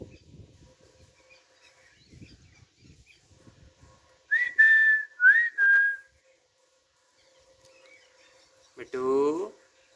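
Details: Green baby parrots sitting on a basket, eating black seeds; soft low murmuring, then three clear whistled notes held near one pitch, and after a pause a harsh, rich squawk.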